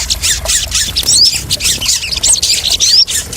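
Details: Crested jay lure sound, used to calm and settle freshly caught caged crested jays: loud, harsh, high rattling squawks pulsing about three times a second, broken by thin rising whistled slurs.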